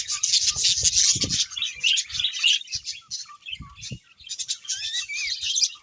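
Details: Budgerigars produce high, buzzy chatter with short whistled upslurs and squeaks, interrupted by soft knocks and a brief lull.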